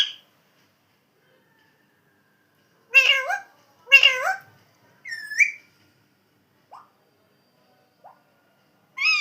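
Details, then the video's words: Talking parrot: a pair of squawky speech-like syllables followed by a short whistled note, faint clicks, and a final call after long silences. "Super Cute Funny Parrot Original Sound"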